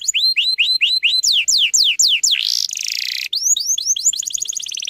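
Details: Canary song used as a lure to bring young canaries into song, a dense rapid-burst style: a run of clear upward-slurred whistles about four per second, then a buzzy rising sweep, a harsh burst and quick chattering trills.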